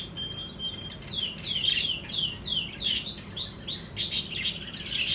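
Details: Budgerigars recorded during mating, giving a run of quick downward-sweeping high chirps, several per second, with a thin steady whistle at the start and scratchy notes later.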